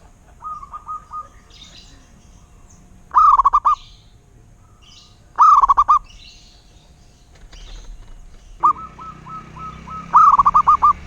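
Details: Zebra dove, or local perkutut, repeating short bursts of rapid bubbling coos every two to three seconds, with softer runs of evenly spaced notes and some background hiss near the end.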